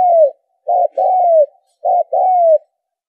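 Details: Spotted dove lure call for bird trapping: low coos repeated in pairs, a brief note then a longer coo sliding slightly downward, over a faint thin high whistle.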